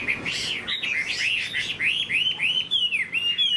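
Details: Tame caged Chinese hwamei, about three years in the cage, sings a fast, loud run of clear whistled notes, each sliding up and down, about three or four a second.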